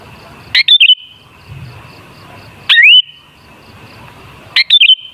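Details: Song of a sooty-headed bulbul used to lure bulbuls into singing: three brief liquid phrases, one a rising slurred whistle, about two seconds apart, with a faint continuous high tone underneath.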